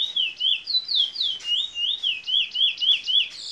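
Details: Locally bred Fire Red mule, a canary x red siskin hybrid from Princes Town, Trinidad, singing in the bullfinch role style: high slurred notes dipping and rising, repeated about four times a second in a steady chain.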